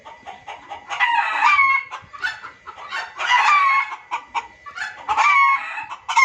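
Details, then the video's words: Noisy junglefowl from a trapping-lure recording. Harsh squawking phrases repeat roughly every two seconds, each carrying short whistled upslurs. "suara pikat dan masteran ayam hutan ribut paling ampuh"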